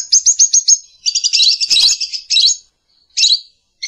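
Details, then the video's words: Lovebird chattering almost continuously: a row of clipped high chirps runs into a dense buzzy stream, then two separate shrill squeaks and a final note. "Lovebird Calling Sound"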